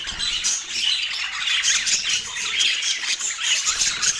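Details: Parakeet chattering at its autumn morning meal in natural light: shrill, busy warbling with quick squeaks and buzzy notes packed tightly together and no pauses.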